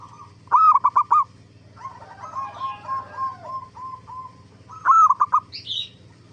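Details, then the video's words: A zebra dove in active song on a lure recording that prompts other zebra doves to reply: rolling coo phrases of a long note plus quick short notes, a softer fading trill in between, and a brief higher chirp near the end. "Masteran Suara Burung Perkutut gacor AMPUH pancingan JUARA BURUNG PERKUTUT BIAR NYAUT BUNYI"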